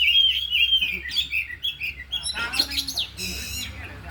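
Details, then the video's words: During an afternoon training session with four caged oriental magpie-robins, a clear whistled phrase opens, then gives way to choppy chirps, buzzy rattles and a harsh trill near the end. A low background hum is present. "Latihan Kacer di Sore Hari Biarpun Hanya Burung 4 Tapi Jalan Semua dan Bongkar Isian"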